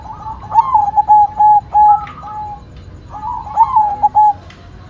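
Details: Cooing of a white zebra dove in full voice: two clear phrases, each a quick run of stuttering notes ending in longer level coos, separated by a brief pause.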